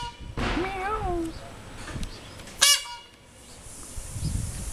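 A peafowl gives a loud, nasal wailing call that rises and falls, followed a second later by a short, sharp honk, over faint outdoor background noise.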